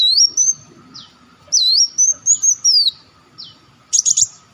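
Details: Lure recording of an olive-backed sunbird: high, slurred whistles sweep up and down in two linked phrases, separated by short single notes and ending with a quick buzzy trill of chirps.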